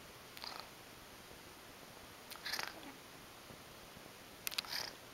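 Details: A male African Grey parrot kept indoors snores quietly: three short, breathy, hissing bursts spaced about two seconds apart, with near silence between them in a small room.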